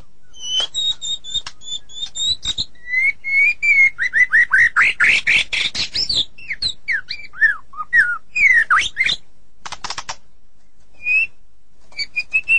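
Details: A white-rumped shama, said to be sulking, opens with high thin whistles, builds into a rapid series of rising and falling whistled notes with harsh chatter, then trails off with scattered single whistles.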